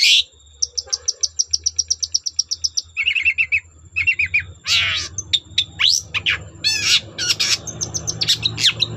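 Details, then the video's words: Long-tailed shrike singing to trigger song in other shrikes: a rapid even trill of high ticking notes, short lower chattering bursts, then loud varied harsh and whistled notes over a low background hum. "Burung cendet gacor Bikin cendet bahan terpancing ikut gacor"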